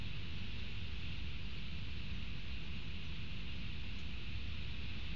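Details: Continuous broadband hiss over a heavy low rumble, even and unchanging throughout, with no animal calls.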